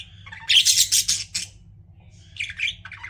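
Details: Pet budgies chirping: a loud burst of rapid, scratchy high chirps for about a second, a pause, then a second shorter chattering burst, over a steady low hum.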